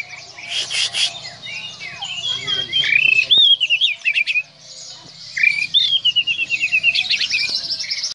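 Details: Bornean white-rumped shama song used as a lure: a rich, varied run of high whistles, trills and quick rising notes, rippling without pause and ending in rapid repeated chirps.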